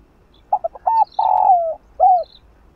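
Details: Spotted dove, or cu đất, cooing in the kích bổi style meant to rouse slow-cooing birds. A single phrase of stuttered short notes, a long buzzy coo sliding down, and a short arched ending. Faint thin twitters come from other birds.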